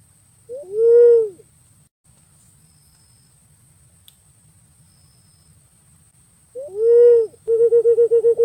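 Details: Two long whistled notes from a pink-necked green pigeon, spaced several seconds apart; the second runs straight into a quick series of short, evenly pulsed whistles.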